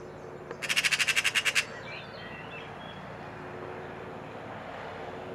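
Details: A Eurasian magpie (Pica pica) taunting a cat in Île-de-France, France, in April 2023, gives one harsh, rattling chatter of about ten rapid, grating notes in a second, then falls silent over a faint steady background hum.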